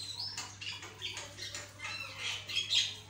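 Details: Javan myna in a fast, active song: a quick string of grating, buzzy squawks and a thin rising whistle at the start, all against a low constant hum.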